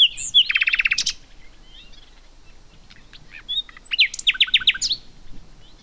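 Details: Common nightingale singing: a fast buzzy trill of rapid notes, a pause, then a series of sharp rising whistled notes with quick chirps, loud and clear over a quiet background.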